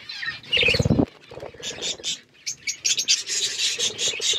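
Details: Chirping budgies in a forest-themed aviary: a brief lower, harsh buzzing note opens, then scattered high chirps and warbled twitters come in quick succession.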